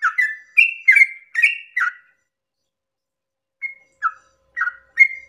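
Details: Sooty-headed bulbul at dawn in 'ropel' song style, used to trigger other bulbuls' singing: a burst of five rich, bubbly whistles, a short silence, then four more scattered notes.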